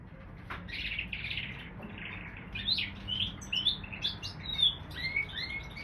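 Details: Canary x bullfinch hybrid singing: a varied warble of short buzzy notes and bright whistled slurs, some rising and some falling, delivered in quick bursts with brief pauses over a low background hum.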